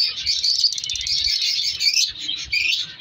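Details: Breeding colony of captive color lovebirds: busy, high-pitched squeaks and tweets from numerous birds, a short lull partway through, then chatter resumes.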